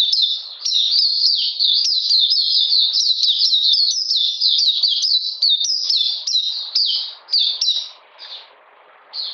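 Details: Oriental magpie-robin recorded on a cold, rainy day, 13 June 2020: bright, quick-fire downslurred notes repeated about twice per second for most of the clip, then trailing into brief, spaced phrases.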